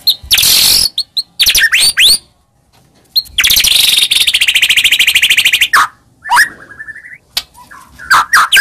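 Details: White-rumped shama song intended to rouse a silent shama: harsh buzzy bursts, a long fast trill of rapid repeated notes, and scattered upward-sweeping whistles separated by short pauses.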